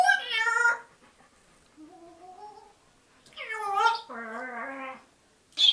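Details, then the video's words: African grey parrot indoors talking to the household dogs: rapid speech-like phrases with clear harmonic, voice-like tones, some sliding up and down, separated by short pauses, in a small quiet room. "african grey parrot talking to my dogs"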